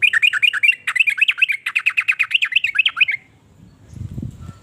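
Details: Sooty-headed bulbul song, part of a set of voices said to make rival bulbuls answer: a dense, rapid chattering of rolling, slurred notes for three seconds, then it stops, leaving a low murmur.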